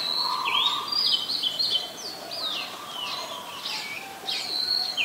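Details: Oriental magpie-robin, Ubon Ratchathani, Thailand, 20 March 2022, recorded on a Nikon P1000: lively series of bright whistled notes, some swooping down, others rising, delivered in quick phrases with a faint humming tone underneath.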